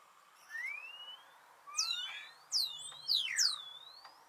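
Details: Wild Thekla's lark in open habitat gives thin whistled notes: a slow rising slur, then several sharp notes falling and swooping in pitch, spaced about one second apart, against a quiet background.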